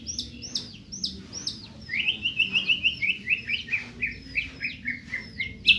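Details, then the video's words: White-rumped shama from Medan delivering a rapid series of short whistled notes. High sharp chips give way to a run of lower, slurred whistles, repeated several times per second. "Burung murai batu medan"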